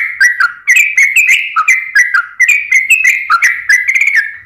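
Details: Sooty-headed bulbul song used as a lure to get lazy or stressed birds singing: bright, bubbly whistled phrases around the middle register, jumping up and down in short, irregular bursts with brief gaps, under five seconds.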